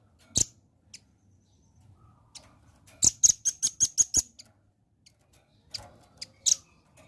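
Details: Velvet-fronted nuthatch, sound used in Indonesia as a lure to draw a quick response from the bird: sharp high clicks, then a fast series of about seven rapid high ticking notes, followed by scattered single chips.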